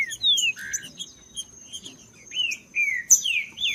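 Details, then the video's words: Green-winged saltator singing: clear slurred whistles that glide downward and upward, delivered in short bursts with brief pauses, over a faint steady high-pitched tone in the background. "ESQUENTAR TRINCA FERRO COM TRINCA FERRO CANTANDO"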